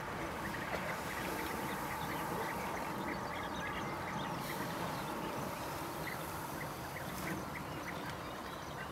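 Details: European bee-eaters in the Vosges, France, give short, rolling mid-pitched calls, several birds repeating them a few times a second over a steady background rush.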